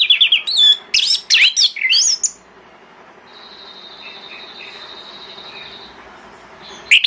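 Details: Orange-headed thrush singing in the morning as a lure to draw other thrushes to answer; loud varied whistled phrases with sweeping notes over about two seconds, then a long thin steady whistle from another bird and a final burst.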